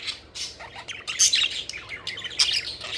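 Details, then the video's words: Pet budgerigars at play, a short burst of harsh squawks and scratchy chatter from several birds, notes jumbled and irregular. "Budgies Having Fun: Playful Birds Flying and Chirping Joyfully"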